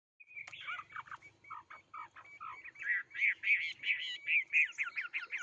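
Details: A songbird sings a lively phrase of clear whistled and slurred notes, starting with scattered varied syllables and then speeding into a rapid, evenly repeated series of bright notes near the end; no other sounds.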